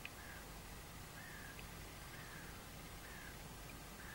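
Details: Crows, about 30-40 of them at around 6 am on 22 March, cawing while mobbing a goshawk that had caught a crow and trying to scare it away: hoarse caws about once a second, distant, under steady broadband noise.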